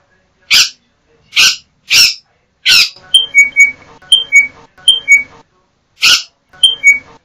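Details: Yellow-backed Oriole (Icterus chrysater) vocalizing: several harsh, raspy bursts, then short clear whistled notes paired high and lower, repeated in a loose rhythm, with more harsh bursts mixed in.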